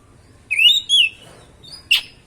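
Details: Oriental magpie-robin lure song meant to make other magpie-robins agitated. Two quick, clear whistled notes are followed by a pause and one sharp, explosive chip.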